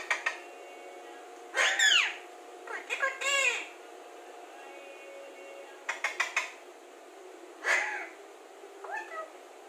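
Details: Alexandrine parakeet, a talking parrot, uttering several bursts of speech-like syllables, some harsh and some tonal and arched, in irregular phrases with short pauses, with a constant background hum.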